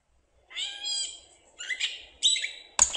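A Gray Catbird gives a nasal, cat-like mew lasting about half a second, then a few quick, jerky, scratchy notes.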